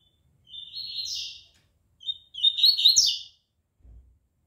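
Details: Double-collared seedeaters training for a song contest: a high, sweeping warbled phrase, a pause, then a short note leading into a longer, tumbling, buzzy phrase, followed by a soft thump.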